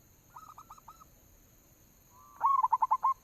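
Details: Lure call of a local zebra dove, used to draw out singing: a soft, faint run of four short coos, a pause, then a louder burst of rapid pulsed cooing notes that rolls along steadily.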